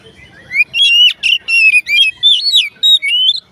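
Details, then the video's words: Singing Oriental magpie-robin, whose voice is claimed to make other magpie-robins join in, gives a continuous run of loud, sweet whistled notes, each slurring upward, with brief sharp accents between phrases. "dijamin Kacer lain ikut bunyi"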